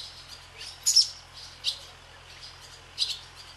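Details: Barn swallows skim the sky above a swallow farm, giving short, high, sharp chirps: a quick double note followed by single notes about a second apart, against a faint steady hum.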